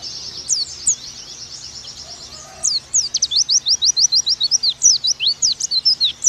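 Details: Oriental white-eye tutor song for training birds: faint high twittering at first, then from about the third second a brisk, steady stream of loud thin high notes, falling and rising slurs in quick succession.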